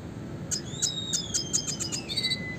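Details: Red siskin classic song for training songbirds: a long thin whistled tone gliding slowly downward, punctuated by regular sharp ticking notes, closing with a brief buzzy warble.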